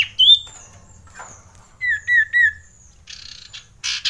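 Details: Male common iora (cipow/sirtu) recording used as a lure to provoke and excite other birds: a rising whistle, then three quick slurred whistles near the same pitch, followed by two harsh, buzzy bursts of noise.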